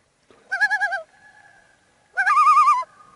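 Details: Common Loon on a remote lake in Canada, reached on a fishing trip; two quavering calls, the first short, the second longer and rising slightly in pitch, with quiet still water between.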